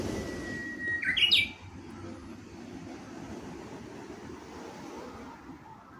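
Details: Japanese bush warbler at Kashiwanoha Park in May 2025: a single short phrase, a level whistle ending in a sharp slurred flourish, then steady traffic rumble.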